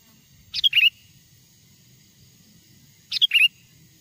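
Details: Sooty-headed bulbul, a wild bird's natural song used as a lure to draw wild bulbuls closer: two short bubbly phrases of quick, liquid, slurred whistles about two and a half seconds apart, with a faint low hum beneath.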